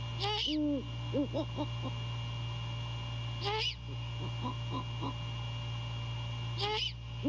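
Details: Night at a great horned owl nest in mid-January, the male calling to his mate while inspecting it: deep paired hoots alternate with three harsh, rasping high screeches spaced a few seconds apart, steady hum behind.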